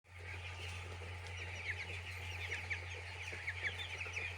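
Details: Chicks on a poultry farm, a dense chorus of high, short peeps from many birds at once, with a few sharper downslurred chirps standing out over a steady low mechanical hum.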